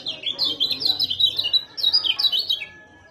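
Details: Lemon-bellied white-eye song, played to stir silent birds into singing: fast, high twittering chatter of sweet slurred notes, rising and falling phrases delivered in quick bursts with brief pauses, ending in a fading thin tone.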